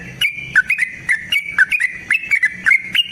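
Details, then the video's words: Continuous bubbly whistling from a yellow-vented bulbul, played to goad another bulbul into singing, with sharp falling twists between notes in a fast, unbroken chatter. "TRUCUKAN GACOR TARUNG ROPEL PANJANG PANCINGAN TRUCUKAN Agar Bunyi Jadikan Burung TRUCUK GACOR EMOSI"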